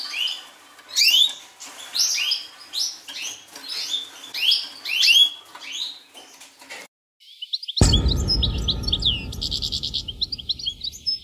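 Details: Wild Atlantic canaries (Serinus canaria) from Madeira, kept in captivity: bright twittering high phrases and a fast buzzy trill, broken midway by a brief pause and a dull thump with low rumble.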